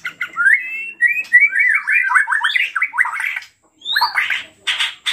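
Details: White-rumped shama song used as a lure to set other shamas singing, the bird agitated and pouring out its mimicked phrases: fast slurred whistles near mid pitch in a rapid stuttering run, a short pause, then higher sharp notes and buzzy bursts.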